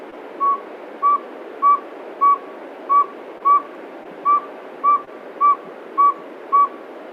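A Northern Saw-whet Owl gives a steady series of short, mid-pitched whistled toots, nearly two per second, like a truck's reversing beeper, over a soft background hiss.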